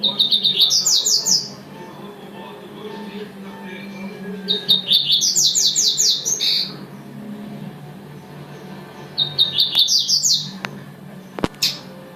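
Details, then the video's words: Three energetic tui-tui phrases by a double-collared seedeater, each a rising run of shrill, rapidly repeated slurred notes, spaced about four seconds apart, with a few clicks near the end. "coleiro tuitui"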